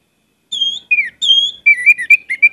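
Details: Orange-headed thrush lure song with many fill phrases: a steady high whistle, a falling slur, another level whistle, then a jumble of short wavering whistled notes.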